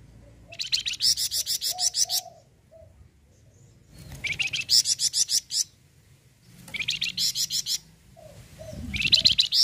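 A Flamboyan bird sings bursts of fast, high, chattering notes, each lasting about one and a half seconds and separated by short pauses.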